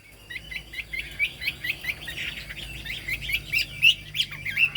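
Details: Chinese hwamei with fig-leaf tail and turmeric-yellow bill singing high: a series of short, repeated whistled notes rising in loudness, ending with sharper upslurred whistles, against a low background hum.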